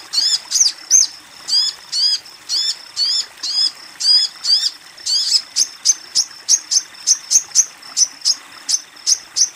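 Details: High, curved chirps from a female Crimson Sunbird calling a male, repeated about twice a second, then speeding into a rapid string of short sharp ticks.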